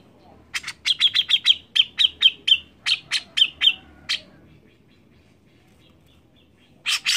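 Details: Lively grey-cheeked bulbul whose song serves to prompt other birds into singing; about fourteen crisp, high chirps in fast succession, then a pause and a brief harsh burst at the end.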